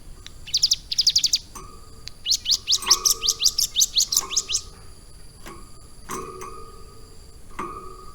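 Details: Caged hill prinia, trained about three months to carry lovebird song, sings bursts of fast, high, sharp chirps in two rapid runs, followed by scattered single clicks and faint low tones in the background.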